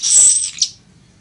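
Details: Village weaver, a songbird with beautiful plumage, in a recording meant for teaching birds to sing: a loud, sizzling high hiss of about half a second, ending in a short sharper burst, then quiet.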